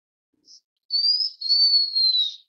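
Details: Blue-winged minla (Actinodura cyanouroptera), call.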